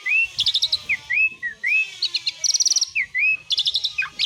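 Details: Jalak suren, the Asian pied starling, in besetan isian song imitating other birds: repeated arching whistled slurs alternating with fast clicking trills, cycling roughly every second and a half, over soft low rumbling.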